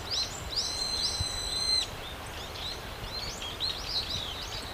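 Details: Brown-eared bulbuls call loudly while feeding on nectar in a blooming cherry tree in Japan. A steady, ringing whistle-like tone holds for about a second among arched squeals. Scattered high calls follow over a hissing background.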